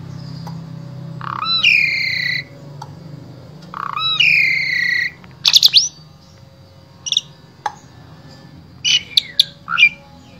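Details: Asian pied starling singing a varied, full repertoire used as a vocal tutor for other starlings, recorded in Wonosobo, Central Java, Indonesia: loud harmonic whistles with upward hooks, followed by sharp clicks and short chattering notes, low hum beneath.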